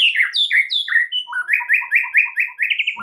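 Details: Varied song of a white-rumped shama played to spur other birds into singing: descending slurred whistles followed by a steady run of about ten bright repeated rising notes, loud and close.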